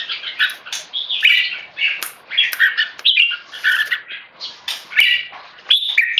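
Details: Red-whiskered bulbul, a tame caged male bred in Singapore, scolding with loud, clear keke calls when disturbed by people. Rhythmic, harsh chattering pulses arrive about twice a second, alongside light knocks and flutters.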